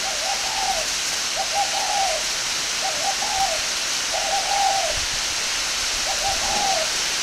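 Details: Northern Vietnamese spotted dove raised at a breeding farm in Ba Vì, Hanoi. Five similar low, soft coo phrases come at roughly even spacing, about every second and a half, beneath a strong continuous hiss.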